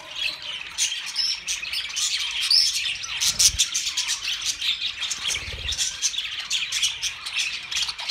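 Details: Budgerigars warbling and chirping in rapid overlapping high notes, a thick continuous chatter broken by two soft low thumps midway.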